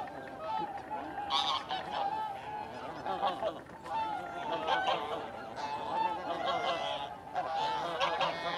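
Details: Flock of taiga bean geese at Kabukuri-numa, Japan, in mid-December 2019, calling continuously. Harsh nasal honks and drawn-out notes overlap almost without pause, with bursts from nearby birds standing out above the crowd.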